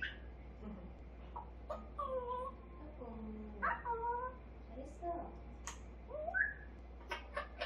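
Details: Eight-month-old grey parrot kept as a pet, babbling and mimicking: soft warbled, speech-like syllables and short bent tones over several seconds, with a quiet low hum throughout.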